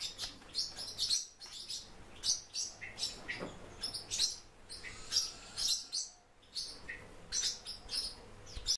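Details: Kept Japanese white-eye (Zosterops japonicus) uttering rapid, sharp, high-pitched tweets, several notes per second in bursts, separated by short gaps of near silence over a steady low background hum.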